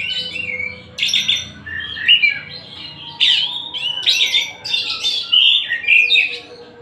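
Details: White-rumped shama of the Tasikmalaya type in song, delivering rich varied phrases: sharp high sweeps, warbled notes and slurred whistles in quick succession, with a faint low hum underneath.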